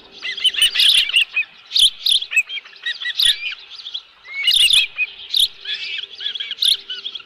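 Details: Osprey at its nest with a live fish at Dunrovin Ranch, recorded 11 July 2018; bursts of high, clear chirping and piping whistles in rapid series, broken by short pauses and mixed with soft clicks.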